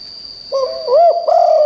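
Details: Brief phrase from a spotted dove kept as a decoy for wild birds: three deep coos, a short one, an arched one, then a longer level note, with a thin constant high tone in the background.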